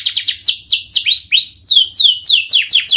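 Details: Panda canary in full, lively song, pouring out quick downward-sweeping whistled notes and short trills at a brisk, uneven pace, bright and high-pitched throughout, with a soft low hum in the background.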